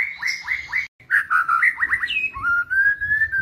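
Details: Whistled song of a white-rumped shama from a songbird training lure: clear downward-slurred notes repeated quickly, a tumbling run of varied whistles, then a long steady whistle with a slight rise.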